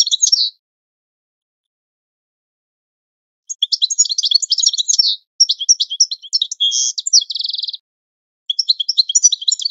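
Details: Training song of a European goldfinch for birds to learn: long bursts of tinkling, scratchy twitter mixed with a metallic, evenly pulsed trill, broken by pauses.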